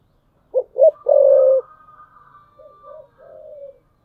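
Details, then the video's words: Decoy spotted dove on a tree perch cooing: two quick clipped notes and a drawn-out low coo, then quieter short coos, with a thin high whistle-like tone running behind. "chim cu gáy mồi cây"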